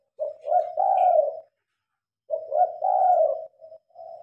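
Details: Night-time spotted dove calling under switched-on lights, phone recording: two full cooing phrases, each a short note then a long drawn-out warbling coo, separated by a brief silence.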